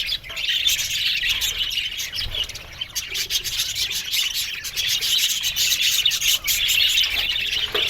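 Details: Budgerigar colony in an aviary giving a constant stream of high, buzzy warbles and sharp chirps from numerous birds, with occasional louder squawks.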